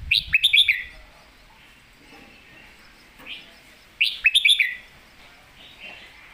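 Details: Red-whiskered bulbul singing a master song (phleng mae bot), billed as a golden-voiced bird: two bursts of quick, bright, warbled whistled notes about four seconds apart, with softer chirps between them over a quiet background.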